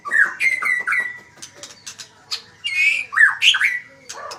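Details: Varied song of a magpie-robin: three quick whistled notes that rise and then level off, then sharp clicks and a pair of loud, buzzy, rising whistles near the end.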